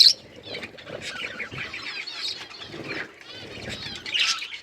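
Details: Budgerigars chirping while eating green food, a continuous wavering warble of high twittering notes with light rustling underneath.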